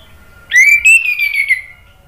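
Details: Orange-headed thrush, male, in a lure recording meant to get silent birds singing: one clear whistled note rising, holding steady and gently falling over about a second, over a low background hum.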